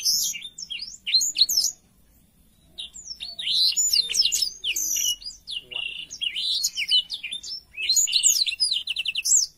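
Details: Long black-throated canary song: bursts of quick high chirps and warbled twitters separated by short silences, ending in a fast trilled run.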